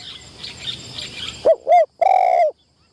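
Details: Spotted dove decoy in a trapping enclosure on its first training outing, uttering one loud, clear coo: two quick hollow notes, then a smooth, sustained croo, after faint background chirping.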